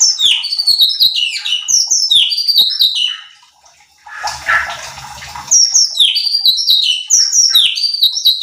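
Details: Cucak cungkok bulbul in lively song, used as a training lure to provoke other birds: rapid falling whistled notes in repeated phrases, broken midway by a brief splashing noise burst.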